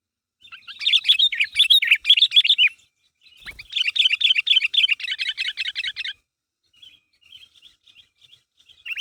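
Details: Sooty-headed bulbul calling its companions to provoke an answer; two long bursts of fast, busy chattering notes separated by a brief gap, then faint scattered chirps.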